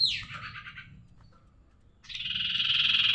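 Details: Tailorbird singing in the lively njoros style: a buzzy trill fading downward, a pause, then another dense buzzy trill beginning, with a low hum underneath.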